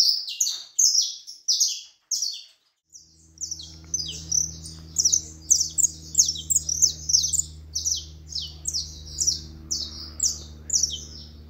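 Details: Saffron finch song: sharp, high, descending chirps repeated in quick succession, joined after a few seconds by a steady low electrical hum running beneath the notes.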